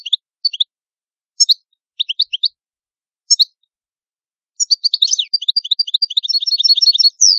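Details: Italian goldfinch singing: a few spaced liquid chirps and doublets lead into a fast, continuous tinkling warble of high notes.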